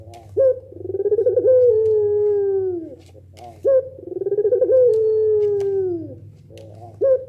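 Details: Barbary dove in pelung style, said to get other doves calling back: two full coos, each a sharp clipped note, a rolling pulsed phrase and a long drawn falling tone, with the start of a third and a low droning hum.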